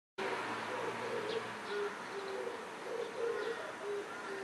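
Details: An Oriental turtle dove near a swallow nest under house eaves, filmed from a distance in July, gives low, soft hooting coos in a steady repeated phrase, drowning out faint thin cheeps of swallow chicks, over a constant background hiss.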